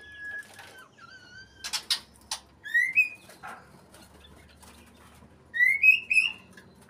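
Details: White-rumped shama in breeding condition singing: clear whistled notes near one pitch, then rising slurred whistles, with sharp broadband clicks and bursts between phrases, possibly wing flaps, and a quiet low hum behind.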